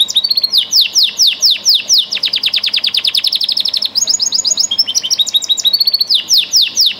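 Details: Loud song canary, bred for singing ability, pours out rapid trains of downslurred chirps, several notes per second, shifting between tours of different pitch without pause.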